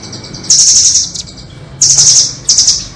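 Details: Nuthatch sounds used as a trapping lure, 'doraemon' and red-billed types: three bursts of very high, fast, buzzing trill, the first about half a second long and the later ones shorter, separated by quiet gaps with low background hum.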